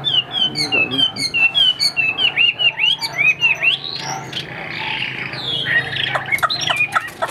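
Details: Caged Chinese hwamei, a bird offered for sale and described with a spread tail, sings loud, rapid phrases of clear whistled notes. The notes are repeated in quick series with sweeping rising and falling slurs, and the song ends with sharp high chips.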